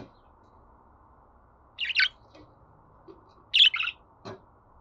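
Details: Budgerigar chirps for playing to a pet budgie to get it singing: two quick doubled high chirps a second or so apart, followed by a fainter short note, with long quiet gaps between.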